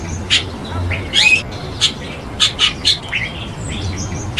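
Chestnut-tailed Starling giving short, harsh chattering notes and squeaky chirps in irregular bursts about half a second apart, with faint background hiss.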